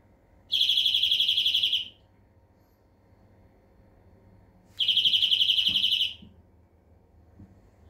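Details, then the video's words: Greenfinch song of two long, evenly pulsed buzzy trills about four seconds apart, with faint clicks and knocks audible after the second. "Flurya Kuşu ötümü"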